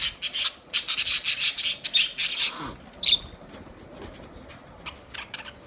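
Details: Budgerigar chirping: rapid series of sharp, high clicks and chirps about two per second, fading into softer scattered ticks.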